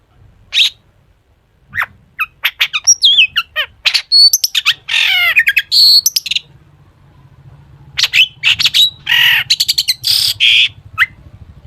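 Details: Singing long-tailed shrike performing a full-isian song meant to coax other shrikes to sing: scattered sharp chips building into fast varied phrases of whistles, harsh buzzy notes and rising slurs, with brief silences between bursts.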